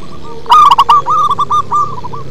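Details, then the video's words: Deep-voiced local zebra dove song: a loud, stuttering run of cooing notes that trails off into a series of softer, evenly spaced coos over a faint low rumble. "Perkutut lokal manggung ngebas"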